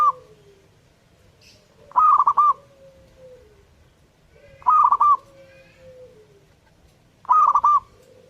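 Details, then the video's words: A zebra dove sings hard, sending out its short chopped cooing phrase three times at steady intervals of about two and a half seconds, a faint falling whistle trailing each one. "burung perkutut gacor"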